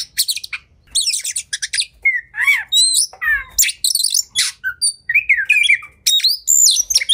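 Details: Fighting, agitated oriental magpie-robin (kacer): harsh scratchy bursts alternate with wavering whistled slurs and a low rasp, repeated in quick phrases with short silences.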